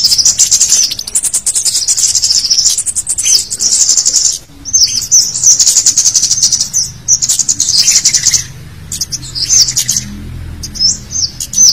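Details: Scaly-breasted munia calls in a busy mixed lure track for catching wild birds: bursts of high, thin, crowded chirping lasting a few seconds each, separated by short quiet breaks, with faint low background hum.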